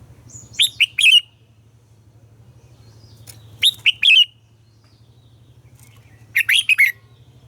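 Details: Morning song of a red-whiskered bulbul, played to train captive birds: three short bright whistled phrases of three to four slurred notes each, spaced about three seconds apart, with a steady low hum throughout.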